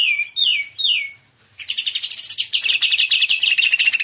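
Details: Greater green leafbird in lively shrimp-style trotolan: three loud downslurred whistles, a short pause, then an unbroken fast chattering trill of repeated notes that keeps going to the end.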